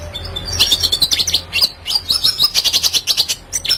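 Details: Red siskin, kept as a lively song tutor for other birds, delivering quick high twittering phrases and rapid chattering trills with a brief pause midway, a low hum underneath.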